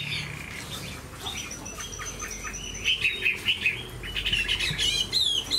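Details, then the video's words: Caged Chinese hwamei kept as a songbird with a fine voice. Quiet scattered notes open, then from about three seconds come bright, separate whistled phrases, repeated in quick bouts, over low background hum. "Chim họa mi bộ to như khướu, dáng ngũ trường, giọng hay"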